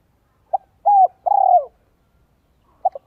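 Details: Spotted dove decoy in 'giọng son 1 cốt lỡ' voice, used to lure wild doves: one complete phrase of two short notes, a steady falling coo and a pulsing drawn-out coo, followed by the opening notes of the next phrase.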